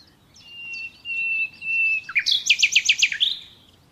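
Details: Nightingale, natural song: a long, pure, steady whistle held for over a second, then a burst of six loud, rapid, ringing notes that rise at the end.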